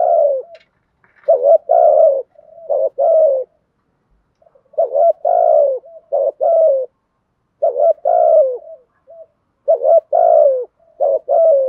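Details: Decoy spotted dove cooing to train newly caught birds to call. Repeated multi-note coo phrases, a short note, a longer soft falling coo, then clipped notes, come in a steady series with brief pauses, clear and close.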